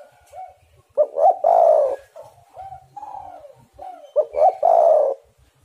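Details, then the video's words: Spotted dove calls used to lure doves into singing: two full phrases, each a pair of quick hooting notes swelling into a loud rough coo, separated by several softer, level coos. "tekukur super gacor"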